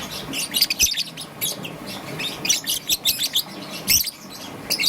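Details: Young peach-faced lovebird, green and yellow, chirping in the morning: rapid bursts of sharp, high, scratchy chirps in clusters with brief pauses between them, a low indoor hum beneath.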